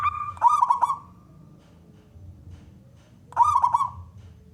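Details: Wild local male zebra dove of contest stock, calling to lure other doves into singing. Two short bursts of rolling, trilled cooing are separated by about two seconds of quiet, with a low background rumble.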